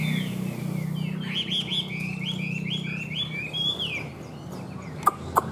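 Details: Caged tame Chinese hwamei from Vietnam warbling a rich string of looping, slurred whistles, followed by two sharp clicks, with a continuous low hum in the background.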